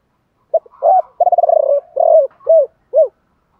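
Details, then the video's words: A decoy spotted dove sings one 'three hậu' calling phrase in the 'thổ pha' style. Clipped opening notes lead into a long throbbing roll. A steady coo follows, then two arched hoots at a low, mellow pitch. "Tiếng gáy gọi 3 Hậu. chim cu gáy mồi gáy gọi ba hậu giọng thổ pha"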